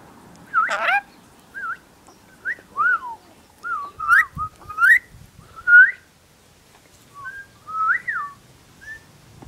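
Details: Pet female Rainbow lorikeet known for whistling and mimicking human phrases; clear whistled notes around mid pitch, sliding up and down in short separate phrases, some double-toned, spaced irregularly over several seconds with quiet between.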